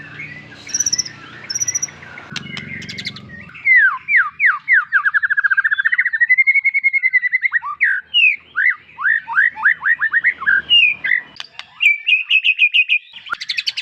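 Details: White-rumped shama song. A few high notes first, then a long, fast series of rich, downslurred whistles, varied in pitch and pace, ending in a high, twittering trill.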